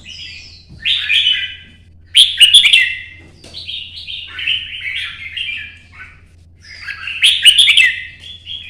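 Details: Solo competition song of a red-whiskered bulbul in early sunlight, hopping between perches: three bursts of fluty warbling, each opening with sharp accented notes and tailing off into lower rolling phrases.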